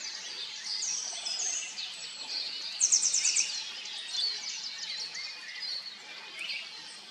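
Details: Eurasian siskins, a pair feeding on small black insects at a pond edge on a very early, dark, foggy morning; faint high twittering over steady hiss, with a brighter burst of rapid buzzy chirps near the middle.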